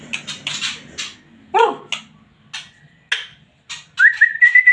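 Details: White-rumped shama in excited song: crackling rattles and clicks, a short squeaky downward note, then a sustained whistled phrase with fast pulsing notes.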